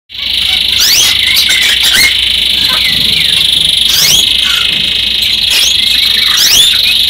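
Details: Male yellow canary singing a melodic song: a loud, sustained high trill held almost unbroken across the whole stretch, with brief rising whistled notes slipping in now and then.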